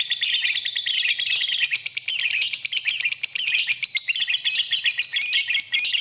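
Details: Masteran lovebird song: a stream of sharp squeaks and rattling trills that comes in uneven bursts, about one and a half each second, all high-pitched and busy.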